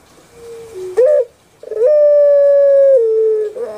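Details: Puter pelung dove kept in Indonesia, known for a kuk gerukkk kwokkk voice: faint low note, a short loud rising kuk, pause, then a long steady mellow hoot that steps down slightly before a gurgling restart.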